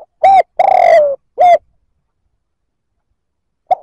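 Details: Spotted dove coo meant to stir up other males. One full phrase: a short hoot, a long vibrating coo that drops in pitch, then a clipped note. After a pause, the next phrase just begins.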